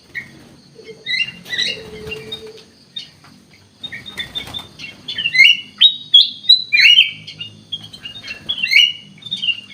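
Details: Ruby-throated bulbul (kutilang emas) singing in a lively mood: after a quieter start with rustling and a low hum, a quick series of loud slurred whistles and chirps, several each second.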